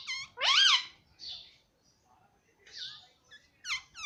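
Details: Alexandrine parakeet (pahadi parrot) kept as a pet, with a loud arching squawk, hoarse rasping notes, and short bent whistles closing the sequence, separated by quiet gaps.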